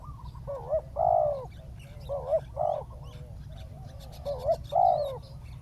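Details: Ground-decoy spotted dove calling down a wild bird, giving three paired phrases, each a quick wavering note then a drawn-out hollow coo, spaced about every two seconds, with a faint low hum throughout.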